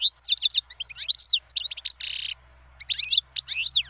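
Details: Wild European goldfinch pouring out lively twittering song of rapid high chirps and slurred notes, broken by a short harsh buzz partway through, over a faint low hum.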